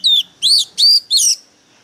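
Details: Fired-up decoy Oriental magpie-robin singing fiercely: four loud, evenly spaced whistled phrases, each a bright arching note with a buzzy overtone, about a third of a second apart.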